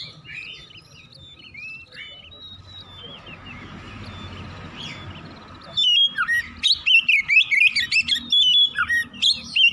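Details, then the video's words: Morning Oriental magpie-robin song meant to trigger singing: faint distant whistles over steady background noise at first, then an abrupt loud burst of rapid, varied whistles and scratchy notes for the last four seconds. "PANCINGAN KACER PAGI HARI CEPAT NGROPEL BUKA PARUH"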